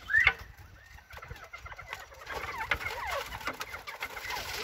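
Northern bobwhites chatter: one quick rising whistle, then a busy jumble of short clucking and twittering notes from several birds over the last two seconds.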